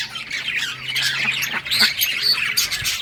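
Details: Budgies at play fill the air with continuous scratchy, high-pitched chatter and sharp squawks, the flock's voices overlapping throughout.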